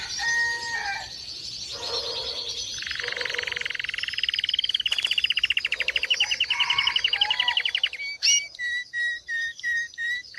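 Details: Agate pastel Belgian canary from a breeding pair singing: brief whistled notes, then a long fast rolling trill held for about six seconds, ending in a series of separate chirps.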